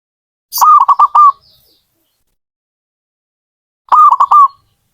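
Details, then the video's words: Zebra dove song, clear and loud: two bursts of quick, rolling coos, each a rapid stutter of four or five notes, separated by about three seconds of silence. "Suara burung perkutut"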